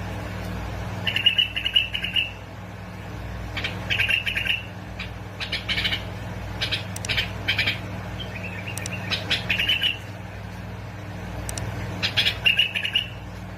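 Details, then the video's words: Bulbul song from Basra and Fao, Iraq, used to encourage bulbuls to sing: repeated short phrases of chirpy, warbled notes come every few seconds across the stretch, with some harsher squawky bursts and a steady background hum. "مقطع تحفيز طيور البلابل على التغريد"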